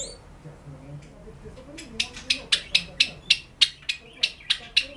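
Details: Pet cherry (sakura) Java sparrow singing indoors: after a quiet start, a run of sharp, bright clicking notes repeated roughly every third of a second, over faint low background music.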